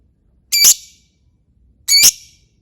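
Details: Lovebird calls played as a lure: two harsh, raspy high squawks about a second and a half apart, with silence between.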